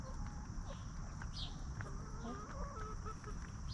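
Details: Free-range hens roaming a backyard farm, scratching in the dirt and snacking on treats, clucking peacefully: soft low clucks and short wavering calls scattered through the clip over steady low rumbling background noise.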